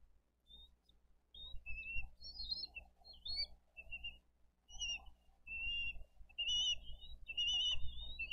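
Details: Bald eagle nest cam, Dade County, 22 April 2023, parents feeding eaglets brought-in fish. Scattered short high chirps and brief whistled notes, uneven in pitch, come about once a second amid intermittent low rumbling.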